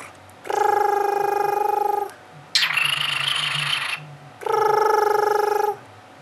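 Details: A male pet cockatiel purrs like a cat, giving a buzzy, trilling purr in drawn-out bursts with a harsher raspy stretch between.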